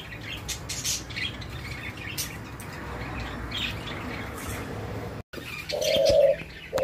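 A spotted dove gives a short, low, mellow coo near the end, with a brief repeat. Before it come hissing background noise and faint chirps from small birds.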